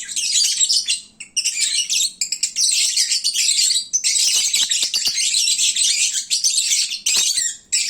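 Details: Noisy midday session of full, sleepy lovebirds: high, harsh twittering in long overlapping runs with a few short gaps.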